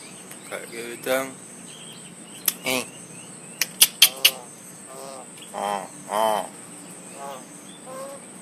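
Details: A Javan myna in top form mimicking human talking and coughing: a run of short, nasal, voice-like syllables and rough cough-like bursts with a few sharp clicks, over a steady high-pitched hiss.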